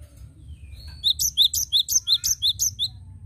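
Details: Cinereous tit singing actively, used as a lure: after a quiet start, a rhythmic run of paired high-then-lower whistled notes repeated about three times a second, with a low hum beneath.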